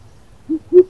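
A greater coucal gives two deep, booming hoots in quick succession, low and hollow, over faint background rumble.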